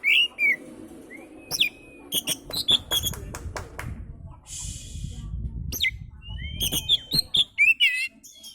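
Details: Oriental magpie-robin singing as a lure for other birds: slurred whistles and rapid clicking, chattering notes in bursts, broken by a hiss of noise mid-clip and a low background hum.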